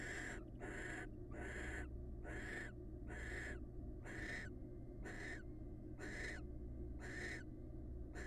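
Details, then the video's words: Pair-bonding wild barn owls give a long run of about ten short, harsh hissing screeches, quickly repeated, some overlapping slightly, over a steady low-frequency hum. "Barn owl pair bond"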